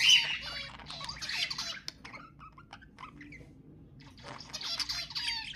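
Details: Pet budgerigars warbling, used to stimulate other budgies to sing: bursts of rapid, scratchy chatter with squeaky whistled notes open and close the passage, and a quieter stretch of soft clicks in between.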